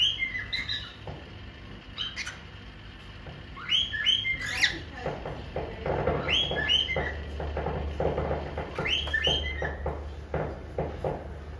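A cockatiel sings a bright run of whistled, rising chirps over a low room hum.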